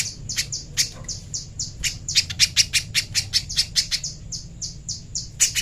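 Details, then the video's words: Little spiderhunter master song for training: quick, high, sharp chip notes repeated several times a second in an even stream, rising in loudness midway, over a faint low hum. "MASTERAN BURUNG PIJANTUNG PISANG JERNIH"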